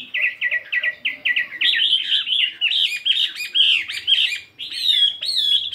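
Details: A 72-gram fighting Chinese hwamei sings in the morning, opening with about eight quick repeated chirps, then switching voice into dense, loud, varied warbling.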